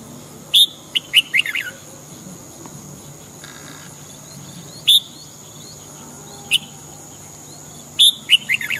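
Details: Morning song of a red-whiskered bulbul: clusters of sharp, warbled whistled notes in quick bursts, spaced a few seconds apart, with a constant thin high tone and quiet low rumble behind.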